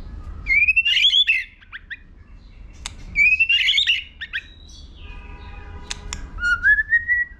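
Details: White-rumped shama singing to spur weak young birds into contest song, with 'tạch' clicking: two long rising, rattling whistled phrases followed by clicks, a buzzy patch and a final slow upward whistle.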